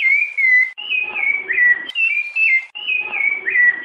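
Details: {'caption': "Rufous-bellied thrush singing in the 'piedade' style, a recording said to contain female calls and used to stimulate a pet thrush. Clear, fluty whistled phrases, each slurring up and then down, come in quick succession and are separated by brief pauses."}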